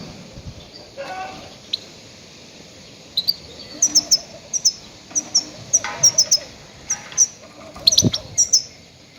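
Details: Goldfinch calls used as a lure for trapping grey-headed goldfinches: short, sharp, high chirps and twitters in quick irregular bursts, about one every two seconds, over a faint low rumbling background.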